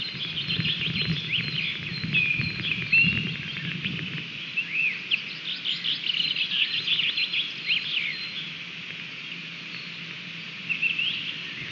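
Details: An osprey at a nest in Latvia on 30 June 2020, as the male Teo arrives with a stick, gives rapid runs of high, whistled chirps that thin out midway and return near the end, with low rustling and thumps early on.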